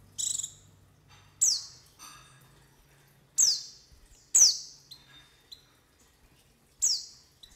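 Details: White-eye calls used to lure wild birds and prompt them to open their beaks: thin, very high notes sliding steeply downward, given singly about once a second with gaps, clear against a quiet background hum.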